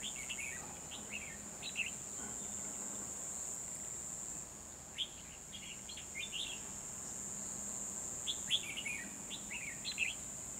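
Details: Red-whiskered bulbul used as a decoy during trapping on 12 December 2020, singing to provoke wild rivals: three bursts of short, bright, warbled phrases about every three to four seconds, over a steady high insect drone.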